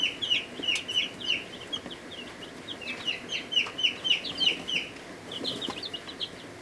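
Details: A crowd of week-old chicks of several breeds, including Ameraucanas, Buff Orpingtons, Rhode Island Reds, Barred Plymouth Rocks and Black Australorps, peeping in a brooder: rapid, high, downward chirps overlapping over constant hum.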